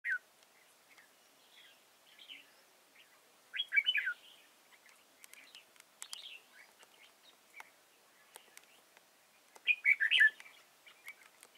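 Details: Red-whiskered bulbul used as a decoy to trap wild birds at Chùa Hương, Vietnam, recorded 31 March 2018: short warbled, chirpy phrases scattered irregularly, louder burbling bursts near four and ten seconds, with faint clicks and background chirps.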